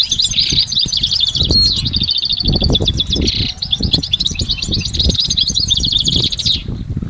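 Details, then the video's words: Goldfinch in nature pouring out a long uninterrupted song of rapid tinkling twitters and buzzing trills, several layers of notes at once, ending abruptly; steady low background rumble. "Exceptional recordings of the goldfinch in nature"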